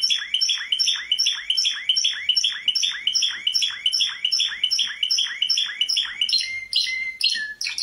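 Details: A champion canary sings a fast, steady trill of bright, high notes, about five a second, before breaking into varied whistled phrases and pure tones.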